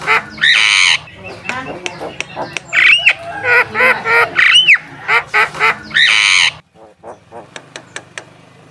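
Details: Lively Javan myna song prepared as lure material for contest birds. Raspy drawn-out squawks alternate with arched whistles and quick clicks, ending in a short pause and a few sharp ticks.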